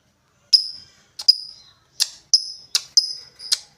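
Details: Lovebird calling with sharp high chips, each trailing off briefly, spaced unevenly in near silence.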